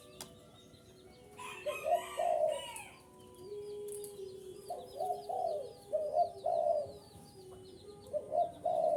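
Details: Spotted dove calling to attract wild doves: a harsher burst early on, then a long even low tone followed by repeated mellow coo phrases, with rapid high chirps of a small bird throughout.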